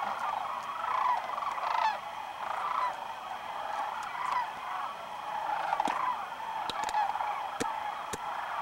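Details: Wintering sandhill cranes arriving around noon at Whitewater Draw, southeastern Arizona, January 1, 2012; a swelling and fading chorus of rattling calls, punctuated by several sharp clicks.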